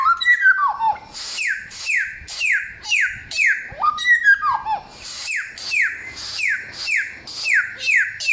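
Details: Samyong opens with a quick stepping run of falling whistles, then settles into rapid repeated downward-sliding whistled notes with high sibilant tops, loud and clear.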